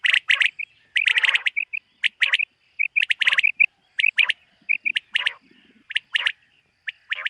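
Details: Common quail in a summer meadow at morning, giving crisp triple-note phrases in steady sequence, with short soft whistled notes slipped between the louder groups.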